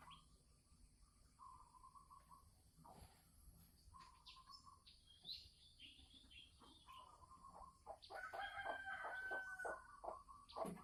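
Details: Female red junglefowl from Sumatra, kept in a cage, giving the ngekek cackle that signals she is about to lay, December 2020. Short repeated clucks and held notes build into a loud, rapid harsh series in the last few seconds.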